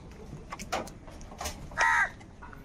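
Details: Crow calling during a squabble over food: a single harsh, hoarse caw near the end, preceded by faint scattered clicks and knocks against a low, noisy background.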